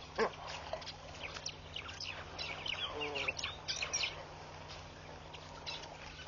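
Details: Red-billed quelea in a flock of hundreds around a bush at a Botswana waterhole, Mashatu Game Reserve, 9 August 2013. One sharp note opens, then thick overlapping chirping builds through the middle and thins toward the end, with a steady low hum.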